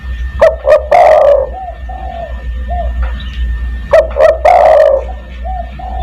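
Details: Spotted dove calling to attract other doves, a lure call in the 'kuk 1' style: two short clipped notes, then a long rolling coo and softer trailing coos, the phrase repeating after about three seconds over a low steady hum.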